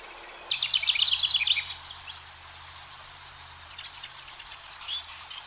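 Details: House wren family at a nest box as the final two of five nestlings fledge. A sudden loud, dense, jumbled high twittering lasts just over a second, then fades to faint high chips over a steady background hiss.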